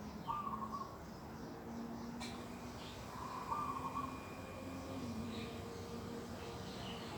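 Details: Birds in an organic garden in the morning, 11 December 2021: two drawn-out, level mid-pitched notes about three seconds apart over low humming tones and steady background hiss.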